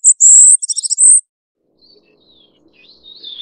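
Ferruginous flycatcher giving a thin, very high, sibilant call: a long hissing note, a quick stuttered cluster, then another long note, followed by quiet background.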